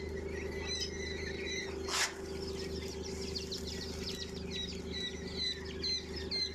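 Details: Twenty-day-old quail chicks raised indoors at home give many short, high, thin peeping chirps, overlapping and repeated irregularly, over a steady low electrical hum with one loud burst of noise near the start.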